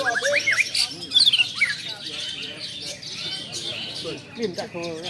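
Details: Long-tailed shrike at a practice singing contest, recorded to train a champion bird: a lively run of sharp whistles, quick rising and falling chirps and scratchy notes, with other birds and background voices around.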